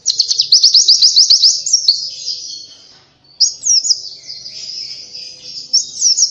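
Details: Oriental white-eye singing energetic, high chirping phrases: rapid trilled series of thin up-slurred notes, a brief pause near the middle, then another sweeping twittering run, all high-pitched and dense.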